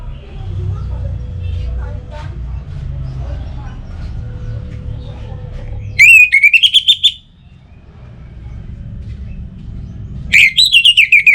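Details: Orange-headed thrush song used as a morning and evening lure to get birds singing: after a quiet stretch of faint background sounds, two bursts of fast, rising and falling whistled notes.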